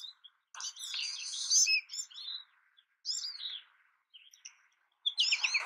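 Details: Fainter American goldfinch song with drawn-out squeaky warbles and slurred high notes in separated phrases, ending in a bright twittering burst.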